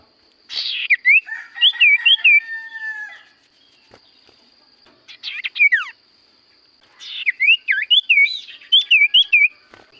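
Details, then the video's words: Sirtu cipoh (common iora) singing vigorously: bursts of clear, wavy whistled notes rising and falling, with a pause before a second run of looping whistles; steady high electronic tones throughout. "Burung sirtu cipoh gacor suara paling Top cer sirtu cipoh diam langsung nyaut"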